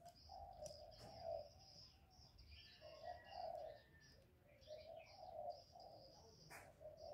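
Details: Cooing Spotted dove of the 'giọng thổ' style, played to stir males: soft low hollow coos repeating in loose phrases over seven seconds, with other small birds chirping higher and a faint hiss.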